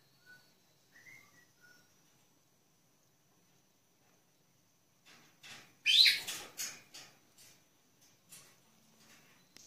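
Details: Pet Senegal parrots at home: a few soft whistled notes, then a burst of rapid, scratchy high chirps and clicks that peaks and trails off into scattered quieter chatter.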